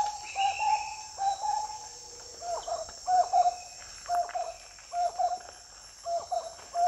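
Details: Marbled wood quail (Odontophorus gujanensis) giving a rollicking run of mellow, mid-pitched hooting phrases, roughly one a second, over a steady high buzz of insects.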